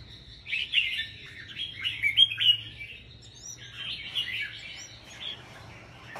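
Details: In a Vietnamese rack singing contest, a caged 'bông' red-whiskered bulbul pours out quick tumbling warbles. It pauses briefly near three seconds, then resumes with softer phrases, over a faint low hum.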